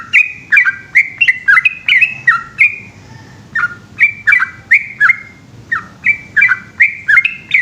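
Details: Trucukan (yellow-vented bulbul) singing its long nighttime ropel: chattering liquid phrases, a short pause near the middle, then the bubbling notes resume in quick succession.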